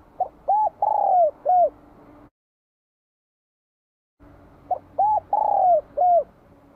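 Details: Vietnamese spotted dove with a bell-like voice greeting spring 2023: two identical phrases, each a quick string of short ringing coos around one drawn-out, downslurred note, separated by a silent pause.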